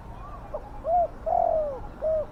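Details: A single deep spotted dove phrase, used to draw wild doves: a brief coo, a long, slightly falling coo and a short final coo, clear above faint background noise.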